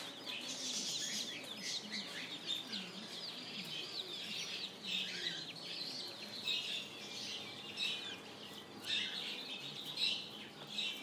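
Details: Spring chicks cheep without pause. Their bright, wavering high chirps come in clustered waves, and softer low calls sound early on.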